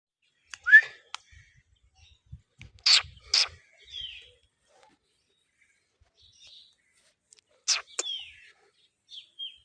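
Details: Ring-necked parakeet chirping: scattered short calls, a sharp rising squeak early, then brief harsh bursts and a couple of whistled notes with quiet pauses between them.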